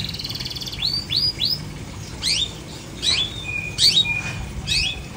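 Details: Long-tailed shrike kept without a cage cover, giving three quick upward-sweeping whistles followed by several louder downslurred squeaky notes about once a second, some with a short flat whistled tail.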